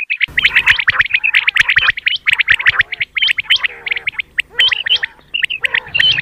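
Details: Common quail morning calls used by hunters: a continuous, crowded chatter of sharp high notes in quick groups over a low background hum, with some lower buzzy notes near the end.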